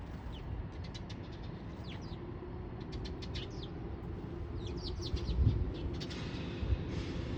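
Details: Several sparrows among cherry blossoms in spring, 8 April 2024: quick, high, thin chirps in irregular bursts, many per second at times, over a steady low rumble of traffic.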